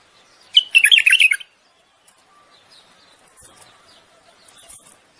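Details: Courtship song of a common bulbul, meant to prompt the female to breed: a quick burst of jumbled, warbling notes lasting under a second, followed by faint scattered chirps.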